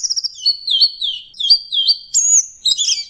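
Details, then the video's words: Loud, clear orange-headed thrush song for songbird training: a brisk stutter of high notes, then repeated sweet slurred whistled phrases, ending in a sharp piercing whistle and a jumble of twittering. "Masteran Punglor Teler Gacor Full Isian Kombinasi Tembakan"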